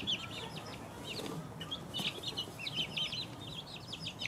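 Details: Young chicks at two weeks old peep in short high notes, some rising and some falling, loosely spaced then quickening into overlapping runs, with a faint low hum behind.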